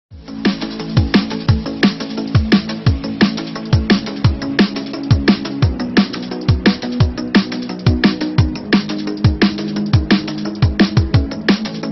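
Electronic drum and bass music with a heavy repeating beat, and no animal sounds.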